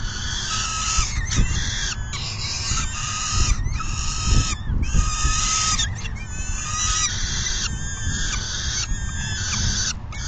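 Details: Peregrine falcon at the nest during a full feeding on 10 June 2022 around 4:08 PM, one bird leaving once full; harsh, harmonic wailing calls about a second long, repeated with short gaps, over heavy low rumbling wind noise.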